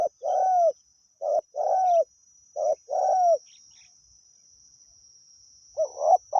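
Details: Wild spotted dove singing during a decoy session: three quick paired coos, a short note then a longer husky one, then a pause before a softer phrase begins. A continuous high whine is in the background.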